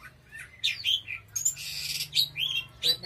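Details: Oriental magpie-robin singing vigorously: a harsh scratchy burst followed by ringing, slurred high whistles, with a faint low hum beneath.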